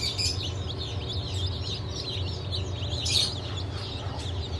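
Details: Chicks just hatched on 28 June 2023, Legbar, Silver Wyandotte, Sussex and GSG Wyandotte, crowding the air with shrill overlapping cheeps, one louder burst near three seconds, and a low mechanical hum underneath.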